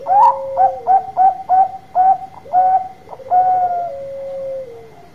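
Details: Bangkok-type zebra dove with a big voice, singing to draw answers from other doves: an explosive rising first note, then about eight quick, staccato coos, and finally a drawn-out, falling, purring trill.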